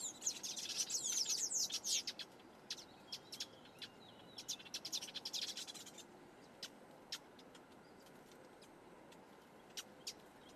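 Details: Black-headed weaver repairing its nest at Quinta do Lago, Portugal: bursts of high, buzzy, sizzling chatter in the first two seconds and again near five seconds, followed by scattered sharp ticks and short chirps.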